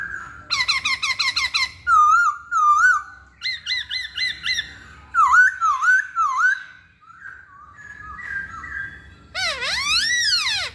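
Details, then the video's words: Hwamei in full song, a caged bird: fast repeated chip series, paired looping whistles, a triple-note motif, wavy rolling phrases, a short pause, then a loud descending swooping cry. "Kicauan Poksay Hongkong"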